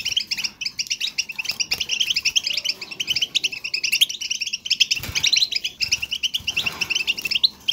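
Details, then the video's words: Goldfinch song meant to encourage a quiet bird to sing naturally; fast tinkling twitters and buzzy trills run almost without break, bright and busy, with faint low thumps in the background. "بتبتة , ضرورية لتحفيز حسونك على الغناء"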